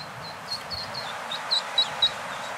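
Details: Orphaned eastern spot-billed ducklings, about 25 days old and newly hatched, approaching adult ducks as if seeking parents; a run of thin high peeps, some short and flat, others sharper and louder, roughly four per second, over steady background hiss.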